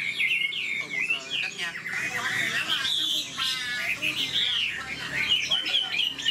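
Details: Old wild-caught Chinese hwamei, caged, singing looping whistled phrases while a man speaks over the middle part of the song.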